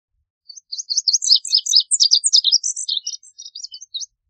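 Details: A lazuli bunting delivers a scratchy, varied song of about three and a half seconds: short high chips and slurred notes tumble out in uneven clusters, loudest early on, then thin out into scattered separate notes.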